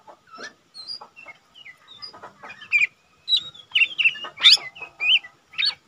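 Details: Lesser green leafbird, used to train other cage birds, gives a varied song of short whistles, slurred rising and falling notes and sharp chirps, growing louder toward the end, over a faint hum.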